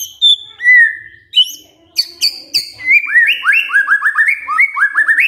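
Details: Lure song of a white-rumped shama to spur a sluggish bird into full song: a few clear sustained whistles, sharp high chips, then a rapid chain of rising slurred whistles repeated several times a second.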